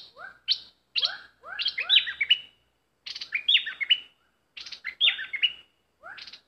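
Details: Bulbul used as a decoy bird to lure wild birds, singing loud bursts of short rising whistles and rich warbled notes in phrases roughly every second, with brief pauses between groups; no other sounds.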